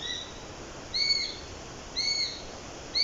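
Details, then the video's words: Thin, high whistles from a Eurasian sparrowhawk, repeated roughly once per second, each note brief and slightly downslurred at its end, over steady low background hiss. "صوت باشق باشق اوراسي باشق العصافير Eurasian Sparrowhawk sound"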